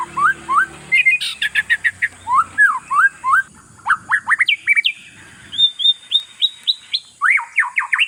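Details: Oriental magpie-robin song meant to fluster opponent birds: long run of quick slurred whistles, many sharply rising, repeated almost twice per second, faint low murmur early on and steady high hiss throughout.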